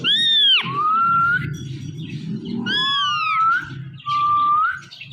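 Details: Ringneck parrot talking to his reflection in a phone: two loud harsh downward squawks, each trailing into a level whistle, then a short rising whistle, over a low background hum.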